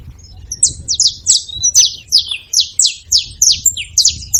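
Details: A saffron finch at a feeding spot delivers a steady series of loud, sharp, downslurred high chirps, evenly repeated about three per second, with slight low rumble behind.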